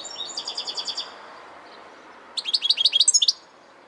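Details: Goldfinch twittering: a soft, even trill of high notes at the start, a pause, then a louder, faster burst of bright chattering and tinkling notes for about a second.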